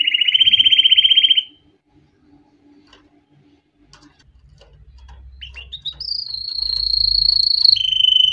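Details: Canary song for training young birds: a fast, buzzy trill, a quiet pause with a low rumble, then scattered chips leading into long, high, steady whistles.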